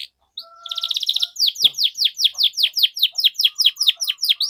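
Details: Canary singing a lure phrase for young canaries learning to sing: a short whistle and buzzy trill, then a steady series of sharp descending chirps, roughly three per second.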